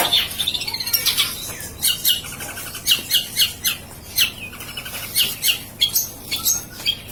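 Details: Long-tailed shrike kept in a cage sings vigorously and nonstop even as the cage is flipped around, giving harsh, high, scratchy notes in uneven bursts with short pauses.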